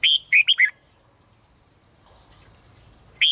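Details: Red-whiskered bulbul in bern style singing rik, meant to encourage other birds to sing. A brisk phrase of four loud, bright warbled notes, then silence except a steady high hum, before the next phrase begins.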